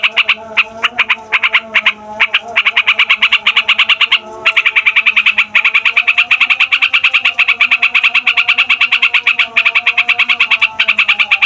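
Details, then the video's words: Yellow-vented bulbul delivering a long, noisy rolling song used to lure wild birds and spur young or quiet ones to sing: a steady, rapid stream of sharp repeated notes, with one brief break early on. "TRUCUKAN FIGHTER NGEROLL PANJANG BIKIN SEMUA JENIS BURUNG OCEHAN EMOSI"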